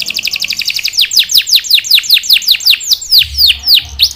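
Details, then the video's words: Singing canary from a recording of long rolls and distinctive 'shots'. A fast stuttering twitter slows into a run of steep falling chirps, roughly four per second, with a faint low rumble near the end. "Burung Kenari Gacor | The sound of a canary"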